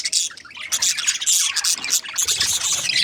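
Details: A breeding pair of budgerigars, described as happy, giving dense, overlapping high chirps and squawky twitters in a fast, irregular chatter, roughly four notes a second.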